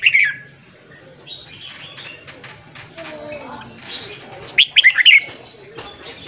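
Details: Red-whiskered bulbul morning song for training newly caught birds: a brief bright note at the start, soft background calls, then a quick cluster of loud warbled whistles.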